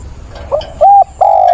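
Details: Mature-voiced decoy spotted dove cooing to attract a mate on 17 September: a brief soft note, then two loud, smooth, even-pitched coos, the last drawn out.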